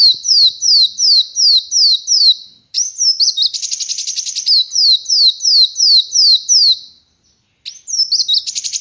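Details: An uncaged ruby-cheeked sunbird held in the hand repeats piercing downslurred whistles at a steady pace, interrupted by a fast buzzy trill, a short gap, and a fresh burst of chatter.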